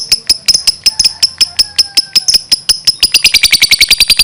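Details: Lovebird chattering in 'gacor' style: a fast, even train of sharp high ticks, about two to three per second, accelerating and growing denser and brighter during the final second.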